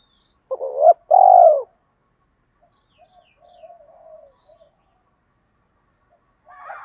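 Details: One loud two-part coo from a spotted dove, a short hoot then a longer note, followed by soft, low murmured cooing; a call used to excite doves in training.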